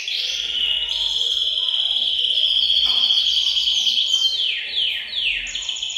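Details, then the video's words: Canaries singing together in a bird room to stimulate males to sing; a long, steady high trill held for several seconds, then repeated rapid downward-sweeping rolls and a rising buzzy phrase, other birds twittering beneath. "أقوى تحفيز لتغريد وتجهيز الكناري، تغريد جماعي في غرفة الطيور سيجعل طيورك تغرد مباشرة"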